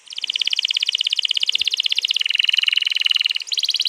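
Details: Canary's long rolling song, played to prompt another canary to sing, recorded 21 April 2022: a fast, steady, high trill of rapidly repeated pulses, dipping slightly in pitch midway and running almost unbroken.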